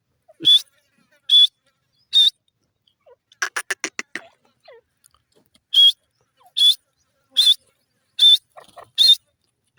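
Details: Grey francolin, or teetar, repeating sharp high notes about once a second. A short quick series of clicks breaks the sequence before the steady calling resumes.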